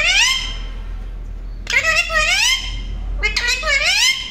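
A rose-ringed parakeet talks in three short, high, speech-like phrases with a bright, nasal tone and bending pitch, indoors.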